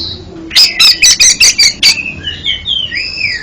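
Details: Oriental magpie-robin song meant as therapy for a stuttering bird: seven loud harsh notes spaced evenly in just over a second, then a smooth run of sliding whistles.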